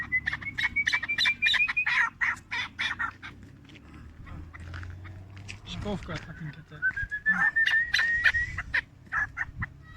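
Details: A four-year-old chukar partridge in Tajikistan, 2021, sounding bursts of raspy chuck notes at the start and end, a thin whistle above, and a steady low background hum with some voices in the middle.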